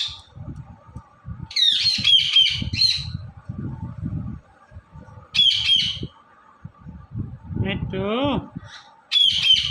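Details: Indian ringneck parrot, a pet green parrot, giving short bursts of harsh, high squawking chirps at intervals, with one lower warbling phrase near the end, over steady low thumping background noise.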